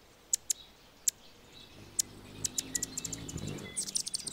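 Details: A male Anna's hummingbird defending its territory, while a female feeds a baby in the nest, gives sharp, very high chip notes, first spaced out, then quickening into a rapid run, over a soft low rumble.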